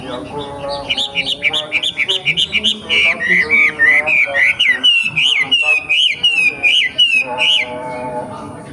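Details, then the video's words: Young forest wambi pouring out rapid whistled notes, first quick rising chirps, then longer looping slurs repeated steadily about three to four per second for several seconds. "KICAU WAMBIE MUDA HUTAN 🔥🔥🔥 BIKIN WAMBI LAIN IKUT BUNYI"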